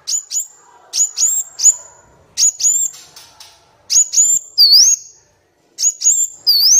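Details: Van Hasselt's sunbird training song for captive birds, also for luring wild birds. Groups of two or three very high sharp notes repeat, with occasional wavering whistles, separated by brief silences.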